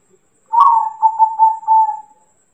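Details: Local zebra dove singing for a training recording to get other doves to call back: one gentle whistled coo, trilled at the start, then pulsing beats and a long even closing note, against near silence.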